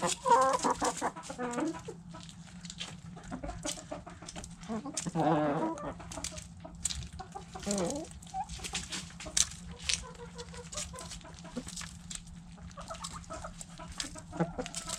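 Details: Backyard hens and roosters feeding on food scraps: soft, scattered clucks and low murmurs among constant crisp pecking and scratching clicks, with a brief louder burst of clucking near the middle.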